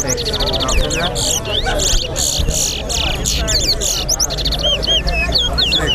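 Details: At a towa towa bird singing competition at Lusignan bird ground, a chestnut-bellied seed finch sings a fast run of bright, sliding whistles and chirps while people talk nearby.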